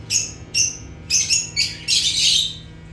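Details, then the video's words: Natural chirping of African lovebirds (Agapornis): a few clear, piercing high chirps with ringing overtones, then harsher buzzy notes and a longer rasping squawk at the end, over a faint hum. "Rare African Lovebirds (Agapornis) | Natural Chirping Sounds"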